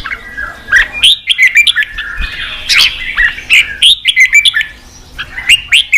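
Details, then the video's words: Red-whiskered bulbul singing to stimulate fighting; short bursts of bright whistled chirps separated by brief pauses, with high clicks and some harsher squawky notes. "Kích chào mào bổi đấu, luyện chào mào sổ giọng, kích chào mào căng lửa"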